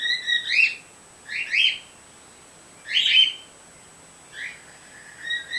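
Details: White female bird kept as a pet, recorded through a screen door: a handful of sharp, upslurred chirps, singles and pairs, roughly one every second, fading near the end.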